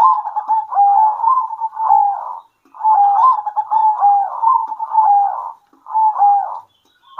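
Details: Midday song exchange between local zebra doves: long phrases of quick pulsed coos that end in smooth wavering notes, separated by short silences.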